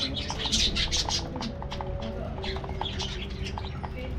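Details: Budgerigars in an aviary colony: a dense burst of bright, high chirps and warbled chatter over the first second, then sparser scattered tweets, all over a steady low rumble of background noise.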